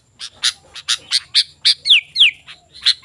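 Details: Sooty-headed bulbul singing energetically, a recording meant to lure wild bulbuls and tutor kept birds: a run of bright, rapid chirps, then two downward-sliding whistles, then a last chirp.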